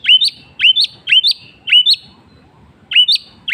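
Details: White-rumped shama singing in the afternoon: repeats a bright, high two-part whistled phrase that rises sharply, about every half second, with one short pause, over a faint low rumble.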